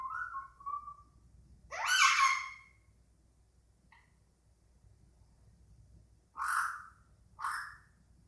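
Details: Indian ringneck parakeet kept as a pet, chattering rather than talking: a short whistled phrase, a loud harsh squawk, then after a pause two more raspy calls close together.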